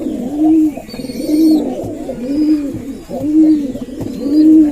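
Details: Male Giribaz pigeons calling constantly in the morning at feeding time in a loft, some squabbling, give low, rolling coos, repeated about once a second.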